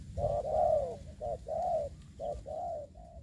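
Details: Ground decoy spotted dove in a trapping session during the COVID-19 season, cooing in quick hollow notes, a few short then longer drawn coos, with low background hum.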